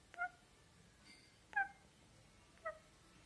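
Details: Indian parrot, said to be talking: three short, nasal, harmonic-rich calls roughly one second apart, each brief and somewhat meow-like, over a quiet background.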